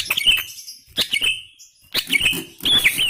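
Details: Greater green leafbird singing vigorously (gacor): bursts of sharp, slurred whistles and chattering trills near the upper-middle range, with loud broadband clicks between phrases and short pauses.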